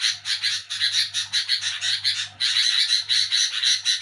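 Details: Sooty-headed bulbul chattering noisily at night in the nyerecet style: fast scratchy pulses that pause briefly midway, then a denser, louder buzzing run. A low hum continues throughout.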